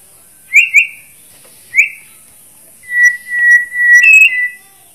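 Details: A Bornean white-rumped shama gives two quick rich whistled notes, then another, followed by long level whistles and a fluty flourish near the end.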